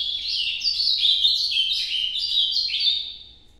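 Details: Ultramarine grosbeak singing in the Nordeste style, a loud rushing sequence of quick downward-slurred whistles that fades out toward the end.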